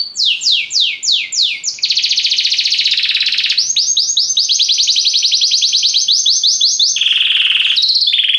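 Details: Belgian canary song in varied phrases: repeated downward-sweeping whistles, a steady buzzy trill, rising rolled notes, then lower and higher trills with brief pauses between.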